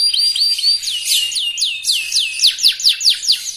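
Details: Young canary in lively song intended to make rivals sing: a run of clear downward-curving whistles, about two or three per second, loud and evenly spaced.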